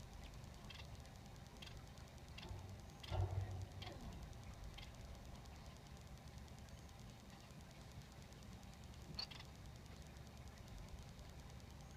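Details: Low background rumble with scattered faint clicks and ticks, and no clear animal calls.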